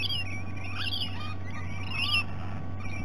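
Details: Rainbow lorikeets at breakfast time, Sydney Olympic Park, Australia: a few high, squeaky rasping notes and a short descending chatter, with a low constant hum throughout.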